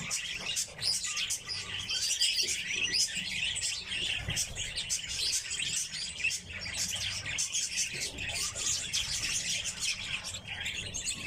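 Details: Several red crossbills kept in captivity chatter steadily: rapid, high, clipped chirps packed closely together, swelling slightly around the middle, over a soft low background hum.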